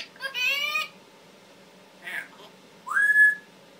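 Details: Pet male Timneh African grey parrot that mimics words and sounds gives a harsh, buzzy squawk, a short soft syllable, then a clear whistle that swoops upward and levels off.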